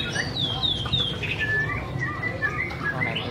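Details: White-rumped shama (Copsychus malabaricus) singing: high thin downslurred whistles at first, then lower clear whistled notes spaced through the phrase, over a steady low hum.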